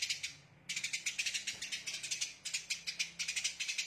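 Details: Eurasian tree sparrow delivering the fast 'tembakan rapat' song style, heard after a brief pause as dense bursts of harsh, high, rapid-fire pulsed chatter, about five bursts per second, in tight phrases.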